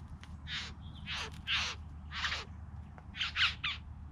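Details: Three bowerbirds calling: about seven harsh, rasping bursts, several ending in a short downward tail, spaced irregularly over steady low background rumble.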